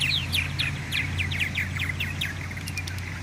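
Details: Purple martins nesting in garden gourds chatter in quick gurgling, chirping bursts, several notes each second, over a steady low hum of wind or traffic, on 21 May 2017, having started singing around 4 a.m.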